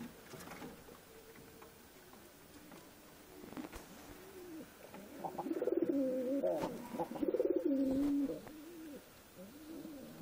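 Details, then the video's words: Low, quavering pigeon coos build after a quiet start, a long warbling run in the second half rising and dipping, over light background hiss. "Natural Peagion Voice"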